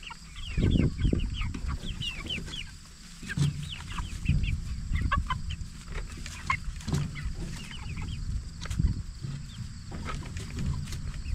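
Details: 44-day-old Jumbo Cornish Cross broiler flock grown for meat: quick falling peeps cluster in the first few seconds, then thin out, while heavy low rumbling and thudding sounds dominate the background.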